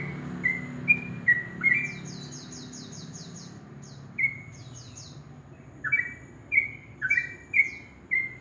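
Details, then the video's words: Sooty-headed bulbul in ropel-style morning song, short whistled notes in loose clusters with gaps, alongside a rapid cascade of high descending chirps and low background rumble. "Suara trocok ropel dipagi hari"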